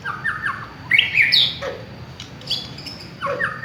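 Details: Village white-rumped shama singing, used as a lure recording: short whistled phrases around mid-high pitch, a rising slurred note and buzzy burst near the middle, then repeated double whistles, over a low steady hum.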